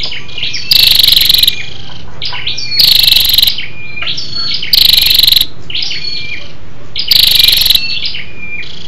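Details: Female scarlet-backed flowerpecker lure call for stimulating males: four sharp, buzzing rattle bursts spaced about two seconds apart, each lasting under a second, with soft high chips between them.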